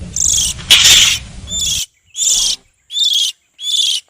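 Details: Oriental magpie-robin lure sound aimed at wild birds: four or five short rasping, buzzy bursts about two-thirds of a second apart, the first loud and overlapping a brief whistle, later ones separated by clean silence.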